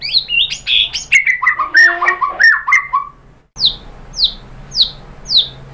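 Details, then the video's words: White-rumped shama singing as a lure to rouse other birds: a rich tumbling run of whistled and chattering notes, a short pause, then four sharp descending high chips evenly spaced. "KICAUAN MURAI BATU merangsang BUNYI jadi EMOSI NYAUT GACOR NGEPLONG BONGKAR ISIAN ¦ PANCINGAN MURAI"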